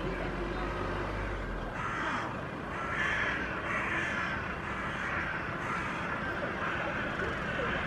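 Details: Hooded crows gathered on an apartment rooftop in Helsinki, Finland, in July 2024, give harsh, rasping caws about once a second, several calling in turn, seemingly exchanging calls with another group about 200 m away, over a low rumble.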